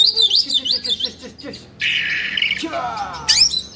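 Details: Agitated Oriental magpie-robin fluffing and spreading its tail, giving quick rising and falling whistled notes, then a harsh buzzy rasp and a trilled rattle, ending in a sharp high burst.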